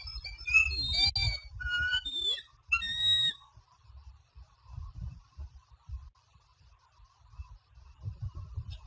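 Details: Bald eagle at Standley Lake, Colorado, 24 April 2020, 15:45, as the male delivers a fish to the new female, F420: a burst of thin, high piping whistles and chitters over three seconds, then low wind rumble.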